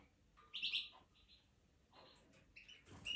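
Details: European goldfinch in the 2023 breeding season sings a quick run of bright, tinkling twitters and buzzy notes, high-pitched, in short bursts with brief pauses between.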